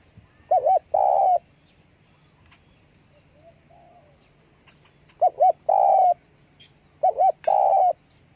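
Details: Spotted dove calling with wing flapping: three cooing phrases, each a quick doubled coo followed by a longer drawn-out note, spaced a few seconds apart over a quiet background.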